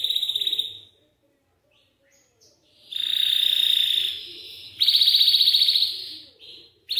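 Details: A Belgian canary sings to stimulate young canaries: a trill, a quiet gap with scattered notes, then two long, loud rolling trills at slightly different pitches.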